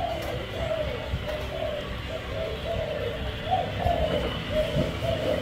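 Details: Spotted dove calling with repeated soft hooting coos, each a short warbled phrase, against background noise and faint talking.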